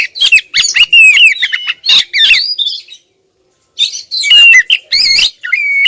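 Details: Persistent female oriental magpie-robin calling at a male: dense, scratchy chattering with buzzy squawks and warbled whistles, a short pause, then another loud burst.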